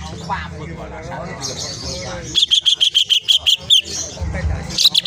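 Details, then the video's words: A greater green leafbird sings energetically with a full repertoire, used as lure audio. It gives a fast burst of a dozen sharp, high chirps in about a second and a half, after a stretch of human voices and background chatter. "cucak ijo gacor ngentrok full isian"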